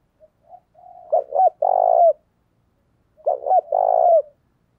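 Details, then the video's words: Lure spotted dove calling to provoke wild males: a soft lead-in, then two full cooing phrases about two seconds apart. Each phrase has two quick stressed notes and a long, throaty coo that drops at its close. "tiếng cu gáy mồi chuẩn thúc kích bổi nghe rất nhanh nổi"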